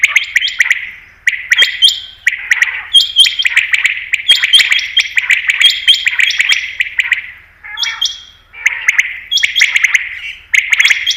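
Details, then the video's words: Common quail (batair) sound used by hunters: continuous rasping, echoing call notes with high flat whistles and clicks laid over them, briefly softer just before the end. "Batair Ki Best Awaz , Batair Sound , Common Quail New Sound For Hunting"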